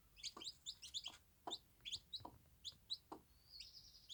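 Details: Bantam mother hen out with her babies on a small farm; high thin chick peeps in quick clusters over soft pecking taps, ending in a drawn-out level high whistle.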